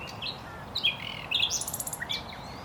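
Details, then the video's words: Common nightingale (Luscinia megarhynchos) song: varied whistled notes followed by a rapid buzzy trill of repeated high pulses, then a few separate chirps, against a quiet noisy background. "Ruiseñor común (Luscinia megarhynchos) Common nightingale, Usignolo comune, Rouxinol, Nachtigall"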